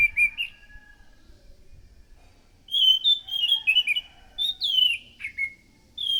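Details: Orange-headed thrush, used as a lure to attract other thrushes, sings a soft opening note, then after a pause a loud sequence of whistled phrases with sharp downward slurs and quick twitters.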